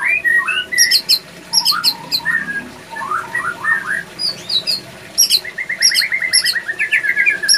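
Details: White-rumped shama male in breeding condition, held at a breeding facility. Varied whistled phrases mixed with high clipped notes, ending in a fast repeated series of short descending trilled whistles.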